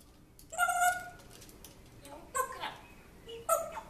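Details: African grey parrot kept as a pet, mimicking a man's voice addressing a dog from its former home: a loud harmonic whistled syllable, then softer mumbled sounds and a final sharp note, in a small room.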